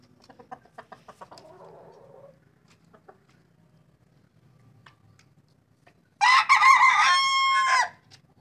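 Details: Native desi chickens in the morning, a hen with chicks: soft ticking clucks and faint peeps first, then a loud drawn-out crow with a rising start and long steady tail near the end.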